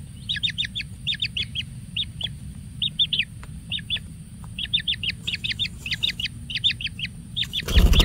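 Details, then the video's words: Kingfisher chick being fed plenty of food, giving rapid high chirps in quick clusters of two to four notes, repeated steadily throughout, over a constant low rumble and steady high hiss. "ANAKBURUNG TENGKEK SATU DI MANJA MANJA DENGAN SEBANYAK MAKANAN"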